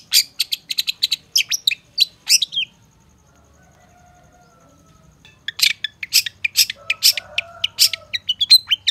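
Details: Long-tailed shrike training song: a rapid string of sharp high chirps stops for nearly three seconds of near silence, then resumes as a brisk, varied chattering series.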